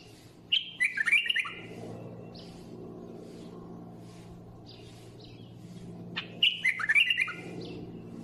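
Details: Two rich, bubbling phrases of rapid whistled notes from a bulbul, about six seconds apart. Faint scattered notes and a low rumbling hum fill the gap.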